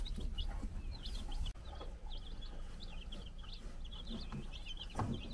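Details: Four-day-old chicks running around on a Czech farm while the brood hen watches; fainter high peeps scattered throughout, mixed with scuffling, a sharp knock and a few lower sounds near the end.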